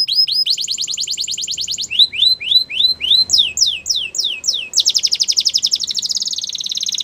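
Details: Canary singing, meant to prompt other canaries into song: fast rattling trills of high notes alternating with runs of slurred whistles, closing in a long rolling high trill.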